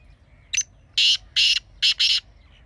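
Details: Partridge calling in a rhythmic phrase: a brief thin lead note, then four harsh, loud notes, the last two closely paired.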